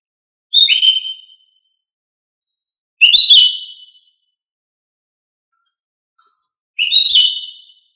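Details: Cucak ijo female giving whistled calls to draw song from males: three loud, rich whistled phrases with a rising, slurred quality, each nearly a second long, spaced about three seconds apart, otherwise silent.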